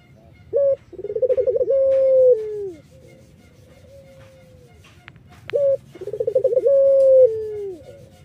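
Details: Collared dove of the Irak variety, kept for its sweet song, which is used to lure other doves. Two phrases: a short clipped note, a rolling trill, then a long, drawn-out coo that sags downward at the end.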